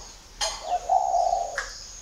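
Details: Spotted dove let out for training at a dove garden in Ba Vì, Hanoi, Vietnam, uttering one drawn-out husky coo, framed by two sharp clicks and a faint high hum.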